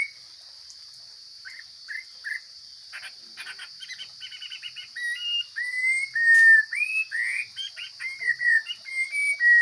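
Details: Wild Chinese hwamei from the forest opens with soft clicks, short notes and a dry rattle, then builds into loud, varied whistled phrases that swoop and slide, against a steady high background tone.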